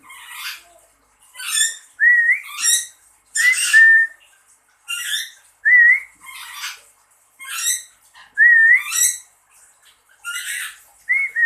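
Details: Lory kept as a pet, answering its owner with a steady series of clear, upslurred whistles mixed with scratchy, broadband squawks, about one note per second.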